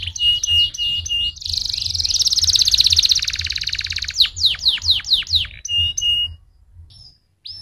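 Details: Canary song for stimulating other canaries to sing: repeated clipped whistles, then a loud rolling trill, then a series of steep falling notes, fading to quiet near the end.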